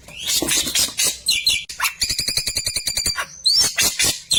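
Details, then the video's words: Kept klewer bird used as a song tutor for white-rumped shamas, giving scratchy high chirps followed by a fast rattling run of bright, ringing repeated notes, then a rising whistle and more harsh chirping. "Burung Klewer tembakan mantap cocok buat masteran murai batu"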